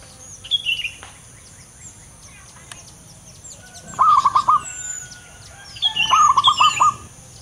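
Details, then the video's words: Local male zebra dove with a big voice repeats its stuttering phrase of rapid hollow coos twice, about two seconds apart, over scattered high chirps and whistles from other birds. "burung perkutut lokal jantan gacor suara besar"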